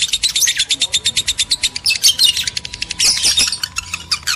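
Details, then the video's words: Breeding-stimulation chatter of male and female lovebirds: a fast regular train of shrill chirps, several per second, breaking into harsher squeaky bursts and briefer notes near the end. "PANCINGAN JEBOL BIRAHI BUNYI, BIKIN EMOSI LOVEBIRD JANTAN DAN BETINA"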